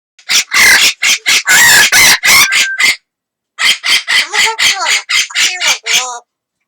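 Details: Pet amazon parrot calling while a second parrot responds: loud, harsh, raspy squawks in rapid bursts, about four a second, broken by a short pause before a second run of strident, slightly tonal cries.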